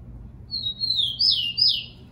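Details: Short song of a captive tico-tico (Rufous-collared Sparrow): a long thin high whistle, then two loud downward-sweeping notes, against a quiet low hum.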